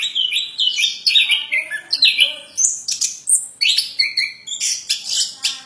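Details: Plontang bird in continuous, chattering song: rapid high chirps, slurred whistles and trills strung together almost without pause, with a rhythmic pulse of notes every few tenths of a second.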